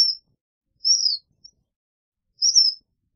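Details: Black phoebe uttering two high, thin downslurred whistled chips about a second and a half apart, with a tiny click between.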